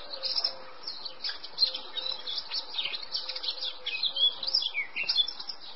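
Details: Male Eurasian blackcap delivering a continuous, high, scratchy warble of quick twittering notes at moderate volume throughout, with a faint low pulsing tone in the background.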